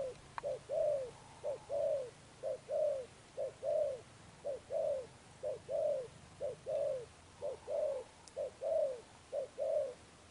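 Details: A recently caught spotted dove gives its Sấm Thổ-toned coo in Thúc Đồng Pha Sấm style: about ten evenly spaced pairs of short and longer slurred coos, roughly one per second, in a quiet setting.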